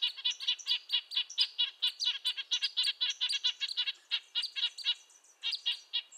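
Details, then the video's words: Red-breasted nuthatch calling in quick nasal toots, roughly two per second, high-pitched and tin-trumpet-like, with a faint thin whistle running along above. "Red-breasted nuthatch sounds, Sounds of the Canadian Nuthatch"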